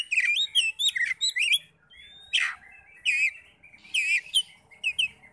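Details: Oriental magpie-robin singing to stir other magpie-robins to answer: a quick run of varied chirps and whistles, a long rising whistle, a harsh falling burst, then repeated twisting high phrases with brief gaps.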